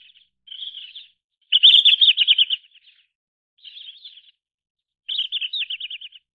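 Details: Red-flanked bluetail (Tarsiger cyanurus): short phrases of rapid, slightly buzzy trilled notes around the upper-middle register, each about a second long, separated by brief pauses; clean background with no other sounds.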